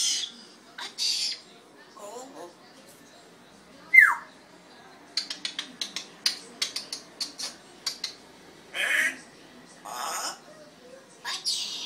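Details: Red-tailed African grey parrot giving a scattered mix of harsh squawks, one sharp descending whistle and a quick series of dry clicking notes, with short broadband bursts indoors.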